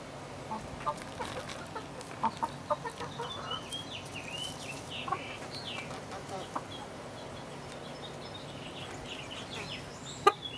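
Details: Chickens recorded on 7 June 2016, scattered short clucks and a few higher chirping notes over a steady low background hum, with occasional sharp knocks.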